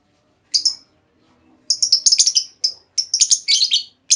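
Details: Female lovebird calling to lure other lovebirds into responding with long trills; sharp high chirps in bursts, a single note then rapid clustered runs of shrill squeaky notes with short pauses.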